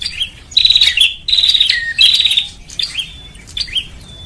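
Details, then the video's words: Lure recording of a Bar-winged prinia, meant to make birds gather: three strong, buzzy trilled bursts in quick succession, followed by thinner rising notes and short chips that fade toward the end. "SUARA PIKAT BURUNG PRENJAK"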